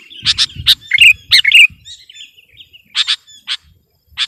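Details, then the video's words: Sooty-headed bulbul in strong singing against a rival, with quick bright chirps and bubbly warbled notes in clusters, and some low rumbling in the background. "Suara burung kutilang gacor || menekan lawan 100%"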